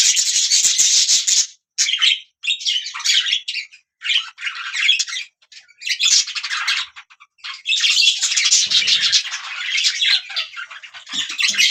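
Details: Budgerigars chirping in short, separated bursts of scratchy, buzzy chatter, becoming a longer unbroken warbling run in the second half.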